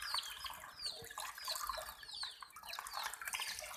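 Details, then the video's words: A brood of baby chicks peeping non-stop, with shrill, downward-slurred whistles overlapping several times a second, while a chick is being caught. "Hen Baby "CHICKS CHIRPING" Sound"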